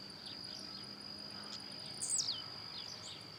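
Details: Blue-black grassquit singing and hopping outdoors, giving one loud, quick buzzy note that slides sharply downward, amid soft rhythmic insect pulses and a continuous high-pitched hum.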